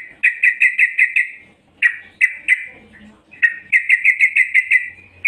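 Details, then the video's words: Female yellow-vented bulbul calling to lure males: bursts of rapid, bright chattering notes, five or six per burst, separated by short pauses, with a few single notes between the bursts. "suara panggilan burung trucuk betina GACOR EMOSI pancingan bunyi trucukan jantan"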